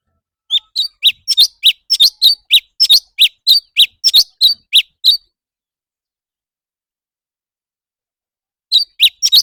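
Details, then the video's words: Leafbird in competitive singing: a fast run of short, sharp chirps alternating between lower and higher notes, repeated about three to four times a second for several seconds, then a pause before another burst. "Noog kaus tsawb ntsuab quaj//thanh tước hót đấu"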